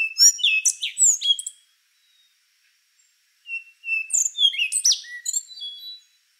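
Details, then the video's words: A rufous-brown solitaire delivers a quick tumbling phrase of bright slurred whistles and chips, falls silent for two seconds, then sings a longer, richer phrase of varied sweeping notes. "Canto do Sabiá Castanho | Rufous-brown Solitaire"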